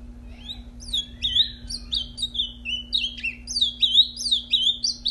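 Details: Ultramarine grosbeak that has just mated, brought back out to sing. It delivers a fast, continuous warble of sweet whistled notes, sliding up and down and rapidly repeated, over a steady low electrical hum.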